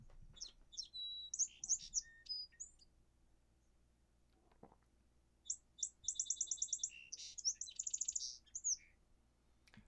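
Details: Song sparrow song played twice in a birding-by-ear practice for common eastern woodland birds: each begins with two distinct clear notes, then a rapid trilled series and a jumbled ramble of buzzy and whistled notes at the end; quiet room background.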